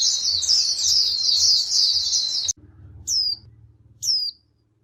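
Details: White-eye flock calling to each other: busy high twittering for about two and a half seconds, then stops abruptly, followed by two separate thin, sharply falling call notes.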